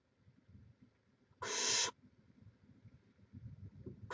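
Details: Barn owl on a nest cam in Chula Vista, California, 18 May 2017: a single loud, breathy rasping hiss lasting under half a second amid a soft low rumble, another beginning at the end.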